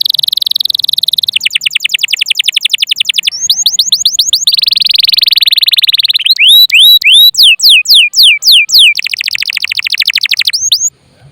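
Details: Canary singing loudly in varied tours, used as a lure to trigger other birds and as a tutor: buzzy trills, rows of falling strokes, hooked rising notes and rapid rolls follow one another over a clean, quiet background.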